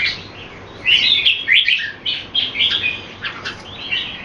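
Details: Red-whiskered bulbul display song in a Singapore-style contest: after a soft hiss, a series of clear whistled, slurred phrases repeated in quick succession over a steady background hum.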